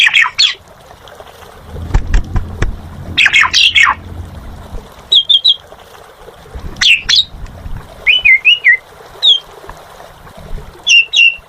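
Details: Asian pied starling in full voice: bursts of harsh, squawky notes at the start, then spaced whistled phrases and a short wavering warble, over a low background rumble.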